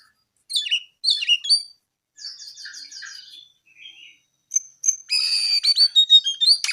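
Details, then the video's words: Brown-eared bulbul giving paired squeaky chirps, then a quick descending trill of whistled notes, a soft chatter, and finally a loud, fast, rattling burst of high notes. "KICAU JONGKANGAN COKLAT GACOR TELER"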